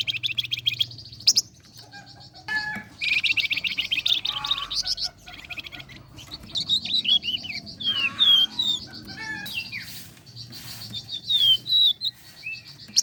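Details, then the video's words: Flame-breasted flowerpecker singing vigorously as a lure for contest birds. Thin, high trills, dense buzzy chattering and slurred, falling whistles alternate with sharp chips over about thirteen seconds. "Flamboyan Gacor !! Pancingan AMPUH Buat Burung Gantangan."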